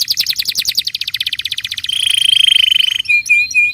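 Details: Canary singing to draw song from untrained canaries: a rapid pulsing trill of repeated notes about five per second, then a smooth high rolling trill, ending in a few clipped whistled notes.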